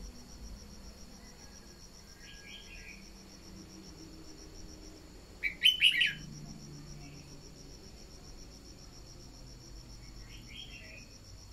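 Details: Decoy red-whiskered bulbul used for voice training, giving a few short, bright chirping phrases, the loudest a quick cluster near the middle, over a steady high insect drone.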